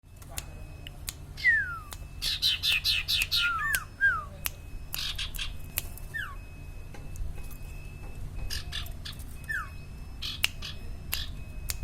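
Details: Common iora (sirtu or cipaw) singing actively: a series of clear, short downslurred whistles mixed with bursts of harsh, buzzy chatter, over sharp clicks and a low background hum.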